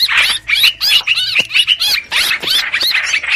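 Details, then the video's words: Bird lure of the streak-eared bulbul, used for trapping, featuring rough, overlapping chatter mixed with arched whistled notes in short irregular bursts. "Tiếng chim hoành hoạch mồi chuẩn"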